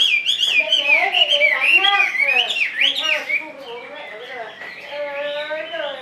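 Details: Chinese hwamei kept in a cage, delivering a strong, fast, varied song of rising and falling whistles with full, warbling tones, dropping in volume midway before a renewed burst of rolling phrases.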